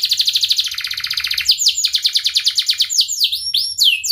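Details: Canary singing to teach young birds: a dense rolling trill of short notes for about a second and a half, then a run of clear downward-sliding whistles, repeated several times a second.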